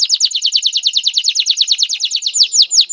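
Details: Singing male canary, stimulating a female to mate and build a nest, delivers a steady run of fast, evenly spaced downslurred whistles, about seven per second, slowing slightly at the end.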